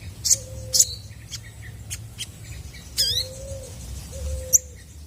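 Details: Chestnut-backed scimitar babbler in full song to make other birds respond: three low, even whistled hoots about half a second long, interspersed with sharp high chirps and a descending squeaky trill from other birds.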